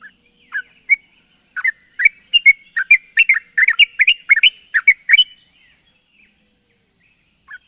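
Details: Sooty-headed bulbul lure song meant to attract other bulbuls: sparse notes building into a fast, dense burst of bubbly chattering over about four seconds, then fading to near quiet, steady high hum throughout.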